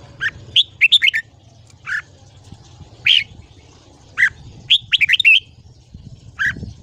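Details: Red-whiskered bulbul morning song used for voice training: short bright chirps and quick clusters of warbled notes, separated by pauses of about a second, over a low background hum.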